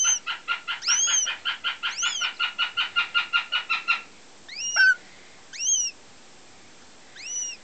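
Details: Young female goshawk, a German x Finnish cross hatched in 2009, gives a rapid series of about sixteen harsh repeated chips with harmonics, mixed with high rising-falling whistled squeals, then three spaced squealing calls after a pause.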